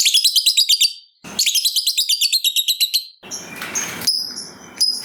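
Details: Long ngekek trill from a fighter lovebird, meant to set off other lovebirds. Two runs of very fast, evenly pulsed shrill notes are followed by scattered sharp high chirps over a hissy background.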